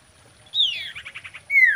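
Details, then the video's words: Common iora singing to arouse breeding interest: a falling slurred note runs into a quick stuttering trill of about six beats, then a second clear downward-sliding note. "SIRTU GACOR KAWIN"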